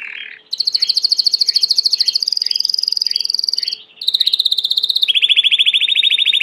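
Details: Belgian canary delivering long, fast, buzzy trills in sections, each held steady then switching pitch, with a short pause before a final lower rolling trill.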